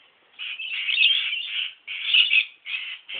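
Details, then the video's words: Wild parrots at Lake Conjola giving a run of harsh, grating squawks, each burst lasting about half a second to a second, in quick succession with short gaps. "Parrots of Lake Conjola"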